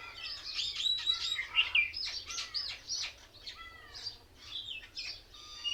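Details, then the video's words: Many mynas sitting together in one tree, described as mimicking other birds as if laughing at each other; a dense, overlapping chatter of sharp chirps and slurred whistled notes that rise and fall, with no pause. "Mayna Birds sounds"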